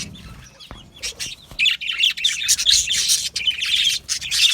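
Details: Budgerigar colony in an aviary, a few soft clicks at first, then swelling into loud mixed squawks and shrill warbled chirping from several birds.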